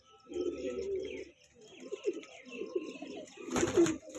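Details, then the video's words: Kanta kash pigeons, a young breeding pair, give low throaty cooing in rolling bursts indoors, ending in a sharp broadband clatter like flapping or knocking. "pigeon sound"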